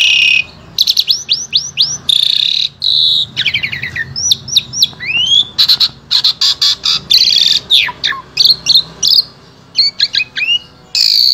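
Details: Asian pied starling in full song, Central Java, Indonesia, its varied repertoire used to teach other starlings: fast runs of sharp high whistles, rasping bursts and clicking trills, delivered in dense phrases with brief breaks.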